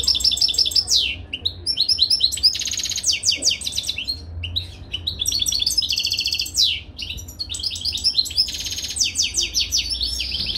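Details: Caged European goldfinch singing during mating: fast, tinkling twitters, buzzy trills and liquid chattering phrases in continuous sequences, with a low background hum.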